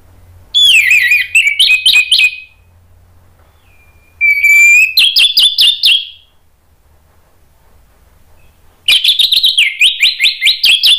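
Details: Orange-headed thrush song played as a lure to make other thrushes answer and sing: loud whistled phrases with rapid warbled, trilled notes, three bursts separated by pauses.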